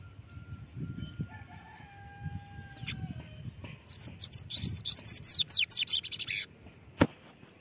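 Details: Double-collared seedeater sings on a hand, a few thin high whistles first, then a quick run of bright, downward-sweeping notes lasting about two and a half seconds, ending with a sharp click.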